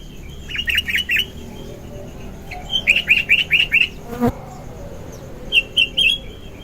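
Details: Sooty-headed bulbul giving vigorous morning song used as a lure: repeated phrases of four to six quick chattering notes, a sharp click near the end, then a final short phrase of three notes.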